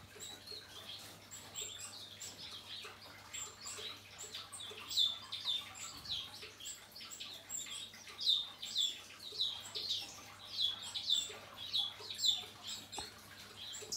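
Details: After its moult, a male painted bunting starts with soft scattered notes, then gives a run of clear high chirps about once a second in the second half, with a steady low hum throughout.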